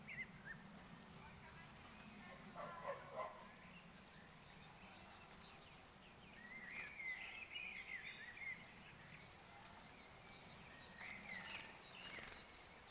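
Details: Great tit at its nest during nest-building gives soft, high chattering calls in brief scattered bursts, clearest midway through, over a steady low rumble.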